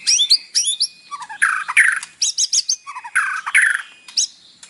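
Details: White-rumped shama (murai batu) singing as a morning lure for a captive bird, its song filled with mimicry. Loud, varied phrases mix high whistled notes with harsh, rasping bursts in quick succession.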